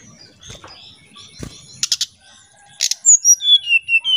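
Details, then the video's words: Oriental magpie-robin singing in a flute-like nyuling style as a lure. Brief buzzy rasping bursts give way to loud, clear whistled notes that step downward about five times a second, over faint low background rumble. "Suara Pancingan SRDC Nyuling"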